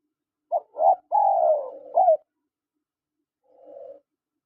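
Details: Spotted dove, male and female: a quick burst of two short coos, a long falling coo and a clipped final note, followed after a silence by a faint, low purring coo.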